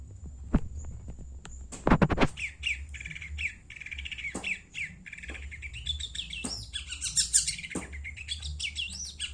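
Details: Long-tailed shrike from Madura giving a varied, rambling warble of slurred and twittering notes, preceded by a burst of sharp clicks and knocks, with a steady low background hum.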